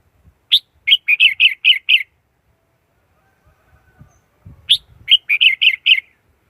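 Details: Red-whiskered bulbul singing two lively phrases, each a quick run of five or six liquid chirped notes in a cluster, separated by a pause of over two seconds and a few soft low thumps.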